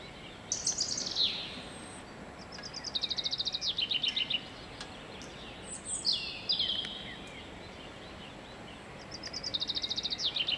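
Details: A common chaffinch sings in a garden on 23 February 2016: repeated phrases of quick, high, rattling notes that step down in pitch and end in a short flourish, with scattered other high chirps and a steady background hiss.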